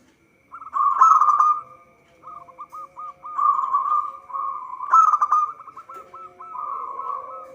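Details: Local zebra dove song meant to attract birds for trapping: loud vibrating coos alternate with series of short rapid staccato notes, about four per second, repeated over several phrases.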